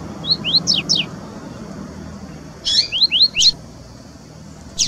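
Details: Wild double-collared seedeater (Sporophila caerulescens) singing in nature in Brazil: short phrases of four to five quick rising high whistled slurs, with a sharp buzzy note, repeated after a pause over low background hum.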